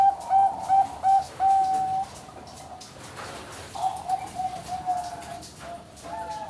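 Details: Caged Bangkok-type zebra dove in Kediri, East Java, Indonesia: a handful of quick coos leading into a drawn-out steady note, a pause, then a fainter, softer run of coos.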